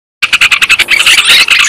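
Yellow-vented Bulbul giving a harsh, buzzy chatter of fast pulses, about ten a second, that runs together into a dense scolding rattle at the end.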